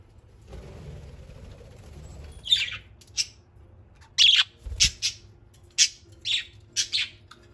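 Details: Playful house parakeets flying free indoors, a flock of eight: after a soft murmur, sharp scratchy chirps start and repeat roughly every half second, steady and evenly spaced.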